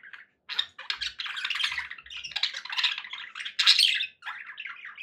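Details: Pet budgies sounding happy, a steady babble of scratchy warbles and sharp chirps, louder bursts near the fourth second, with a few faint low knocks in the room.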